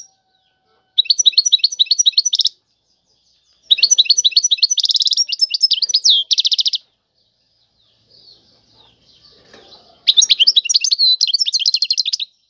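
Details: European goldfinch singing in the song style called tiwawati: three bursts of rapid, high twittering trills, about a second and a half to three seconds each, separated by pauses, with faint low rustling in one gap.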